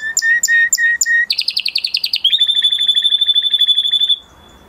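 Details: Male canary song: four spaced chirped notes, then a fast buzzy trill, then a long steady rolled trill of rapid repeated notes ending abruptly.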